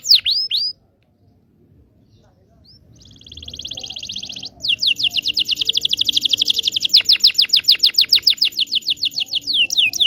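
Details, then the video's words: Local Indonesian canary singing to coach young canaries: three quick downward whistles, a pause, a soft buzzy trill, then a long loud rattling trill of rapid repeated notes. "PANCINGAN KENARI MACET BUNYI.. PANCINGAN KENARI PAUD BELAJAR BUNYI"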